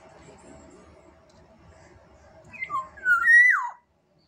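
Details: Black-naped oriole (kepodang emas) from Sumbawa: after nearly three seconds of faint low hum, a short fluty whistled phrase of a few clear notes ends in a longer sustained note that slides downward.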